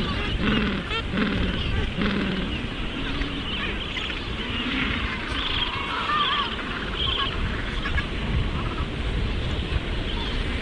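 Penguins give harsh, braying calls that overlap in a dense colony chorus, over steady low rumbling background noise.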